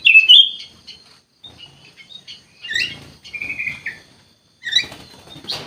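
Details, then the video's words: Kutilang emas bulbul in gacor song: a loud opening whistled flourish, quieter scattered chirps, then a level whistle held about a second, a pause, and a final sharp burst of notes. "KUTILANG EMAS GACOR COR COR"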